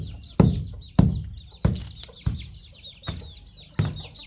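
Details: Farm chicks and young chickens feeding on termites, giving rapid, high, slightly downslurred peeps. Heavy knocks from pecking fall roughly every half second to second.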